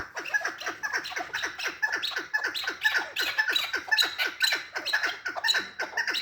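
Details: Chukar partridge calling: harsh clucking notes in a rapid run, about two per second, in a steady series that continues through the clip.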